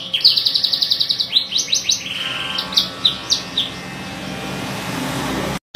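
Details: A canary opens with a quick rattling trill and upswept notes, then sings sparser chirps as a broadband rushing noise rises in the background.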